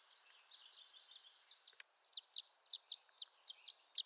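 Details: Violet-green swallow with soft twittering under a hissy background, followed by a clear run of eight crisp, high chips spaced about a quarter-second apart.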